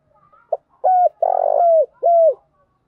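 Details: Spotted dove cooing in the thúc bổi style, used to rouse decoy birds being trained for trapping: a short soft note, then three loud, low, hoarse coos. The middle coo is longest and rolling, each ends with a downward slur, and the background is quiet.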